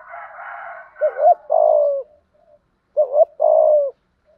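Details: Spotted dove singing in the thổ voice style to lure males: a hoarse buzzy phrase, then two short hooked coos and a long, slowly falling coo, repeated after a pause; otherwise quiet.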